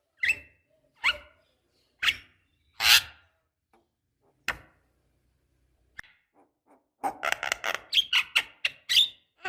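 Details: Javan myna, a female calling a male, played as a lure: harsh, rasping single notes about once a second, then a dense burst of rapid scratchy chattering notes after a short pause.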